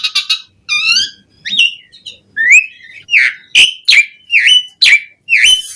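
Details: Asian pied starling in full, varied song with mimicked fill-in phrases, used as a lure to get other starlings singing: harmonic whistled notes, then clear slurred whistles that dip and rise, repeated about every half second.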